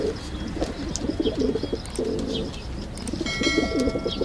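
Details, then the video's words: Pigeons coo in low, throaty, rolling phrases that overlap one another, with faint chirps and a steady outdoor hum behind. "Pigeon sound Effect | High Quality Pigeon Sounds"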